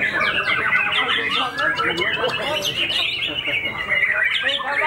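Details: Fighter-type white-rumped shama with white tail feathers after its moult, singing at full intensity: quick cascades of slurred whistles, flicking high notes and a few sustained tones, continuous background talk.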